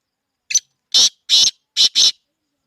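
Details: Black francolin, locally called kala teetar and described as a speeder bird kept for sale, giving a harsh grating call: one short rasp, then two paired bursts of loud scratchy notes over about two seconds, with no background sound.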